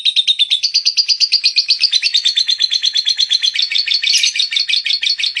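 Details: Lovebird in a sustained ngekek song, dense rapid chattering of high raspy notes repeated steadily for over five seconds with no pause.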